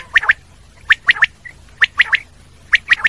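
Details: Common quail giving its triple-note call, three quick sharp notes in a tight cluster, the phrase repeated roughly every 0.9 seconds, loud and clear against a quiet background.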